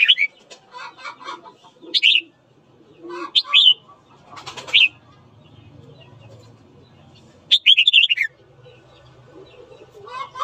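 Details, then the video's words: Red-whiskered bulbul singing in the morning to provoke fighting; scattered bright whistled phrases, a longer warbling run near the end, among lower chattering from other birds and rustling. "Luyện giọng chào mào hót sáng kích bổi đấu"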